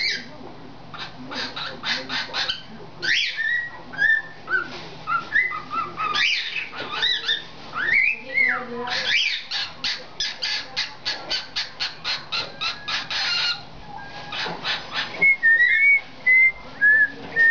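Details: A 7-month-old male cockatiel, learning to whistle Tchaikovsky's Dance of the Sugar Plum Fairy, sings a busy run of rising and falling whistles mixed with quick repeated chirps.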